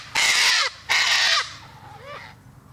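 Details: Two loud, raspy cockatoo screeches, each about half a second long, then a fainter, softer squawk.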